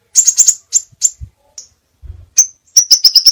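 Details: Crimson sunbird tutor song, varied: quick clusters of very high sharp ticks, a few isolated chips, and a closing rapid ticking series, with faint low thumps in between.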